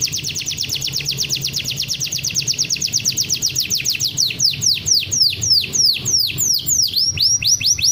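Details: Champion canary's masteran song: a long rapid high trill that slowly quickens, then a series of loud descending hooked whistles repeated in quick succession, with a faint low hum behind.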